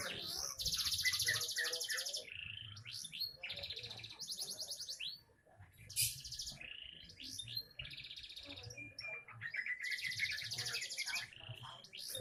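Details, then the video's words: Young canary singing with a champion temperament: a long, varied song of fast, dense trills, buzzy rolls and quick sweeping whistles, with phrases changing every second or two. "Burung canary isian bukan main masih muda mental juara"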